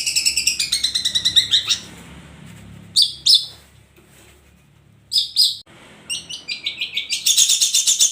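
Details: Long-tailed shrike, known as cendet, singing ombyokan style: bursts of fast, buzzy chattering alternating with paired loud harsh notes and short pauses, ending in a dense, rapid scratchy run.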